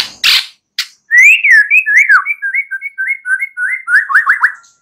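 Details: Night-time white-rumped shama song played to encourage singing: a few sharp clicks, then a long run of clear whistled phrases at a moderate pitch, slurring up and down, ending in quick repeated whistles.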